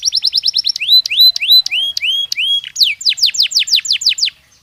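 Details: A Belgian canary sings naturally. The song opens with a fast series of short falling notes, shifts to slower upward-curving whistles, and finishes with quick descending sweeps, all high and clear.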